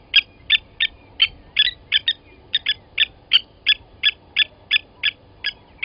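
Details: Blacksmith lapwings at Djuma Game Reserve's Gowrie dam, South Africa, 29 August 2020, 07:47, an adult killing a chick grabbed from the nest: rapid metallic tink calls, nearly three a second, some doubled, loud and clear.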